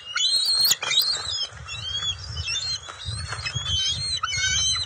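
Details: Juvenile bald eagles on the nest during fish and eel deliveries in June 2021, scuffling over food, give thin, high, wavering squeals and whines in overlapping bursts, with soft rustling and bumping below.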